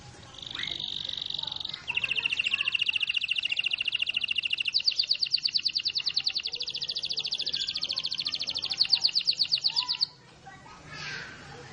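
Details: Canary singing: a steady high whistled note, then long fast trills of rapidly repeated notes lasting several seconds each, over faint background noise.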